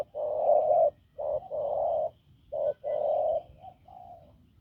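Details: Spotted dove, caught from the wild and noted for a hoarse, strong coo, gives a few low, husky notes, one long and several shorter, then trails off softly.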